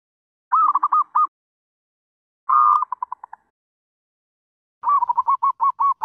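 A Zebra Dove gives three bursts of soft, rapid staccato cooing notes, each a quick rolling string of about half a second, with quiet pauses between.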